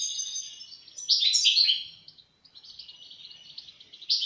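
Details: European goldfinch singing: high, bright twittering and tinkling notes in a loud central burst, then quieter chattering phrases.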